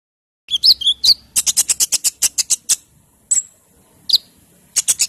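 A hummingbird gives thin, very high squeaky twitters, then a rapid run of about ten sharp dry ticks, several a second, with brief pauses between bursts.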